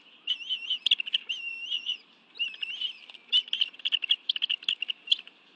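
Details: Bald eagles feeding on fish at their Washington, D.C. nest, National Arboretum, 2:23 PM on 11 June 2017, two adults with two young: a string of high warbling chitters, then rapid clipped squeaky notes in quick succession.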